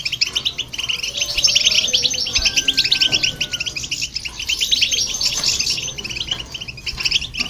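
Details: European goldfinch singing alongside a hybrid to provoke other birds: continuous lively twittering of quick high chirps and rippling trills, with a faint steady whistle-like tone in the second second and soft low background rumble.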